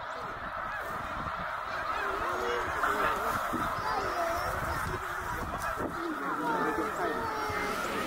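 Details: Migrating flock of about eighty thousand snow geese at Middle Creek, Pennsylvania, in 2023; constant layered yelping honks, many short rising and falling notes tumbling over one another in a dense, even chorus.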